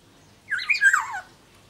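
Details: Caged black-naped oriole of the Sumbawa type, kept as a songbird and singing vigorously: one brief, rich fluted phrase that wobbles and slides downward, lasting under a second in a quiet room.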